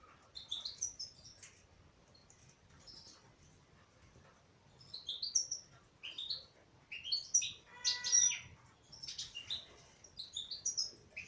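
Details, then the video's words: Song of a female European goldfinch: scattered high chirps early on, then denser tinkling, twittering phrases with one sharp buzzy note near the middle, continuing in quick bursts to the end. "تغريد انثى حسون"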